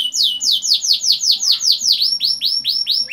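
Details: Young canaries are lured into song with this recording: a long roll of rapid downward-swept whistled notes, about two to three per second, steady and bright throughout.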